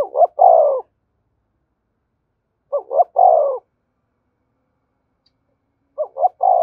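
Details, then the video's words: Spotted dove giving its urging coo, used to stimulate other doves to sing: three-part phrases of two short notes then a longer falling coo, repeated about every three seconds. "Tiếng cu gáy thúc gù dùng kích bổi và tập mồi hiệu quả và gáy sung mãn"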